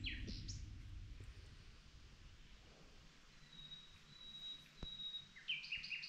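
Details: Common nightingale singing at night: a few sharp high notes, then a long, pure, steady whistle held for over a second, ending in a quick burst of varied notes over low background rumble.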